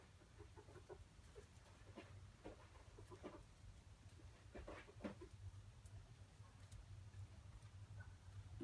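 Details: Red junglefowl giving a series of short, low clucking notes at irregular intervals, some in quick pairs, quiet against a steady low hum throughout.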